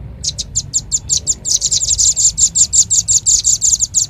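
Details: Bird-attracting lure call of the velvet-fronted nuthatch: spaced thin high chips that quicken into a dense, rapid, ringing series of sharp notes.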